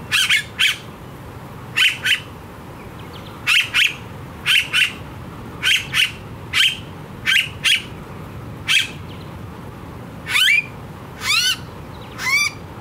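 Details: Blue-faced honeyeater in Australia, a very noisy bird, giving loud harsh squawking notes in quick pairs and runs, roughly a dozen over the stretch, the last few bending into rising-falling strained cries; soft background hum.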